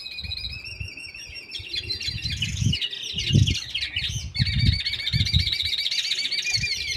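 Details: Red canary hybrid (mixto) in contest preparation singing without pause: fast rolling trills and warbled tours shifting between phrases, with a brief scratchy passage midway, over steady low bumping and knocking background noise.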